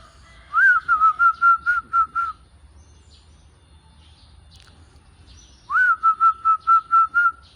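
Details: Perkutut, or zebra dove, cooing in two bursts. Each starts with an upswept note, followed by about seven crisp, level whistled notes in quick succession, separated by a quiet pause with faint background chirps.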